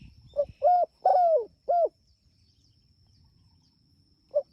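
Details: Spotted dove calling to its companions, a lively caller: a phrase of four low mellow coos, the third longest and gently falling, then a lone short coo after a pause; faint steady high tone.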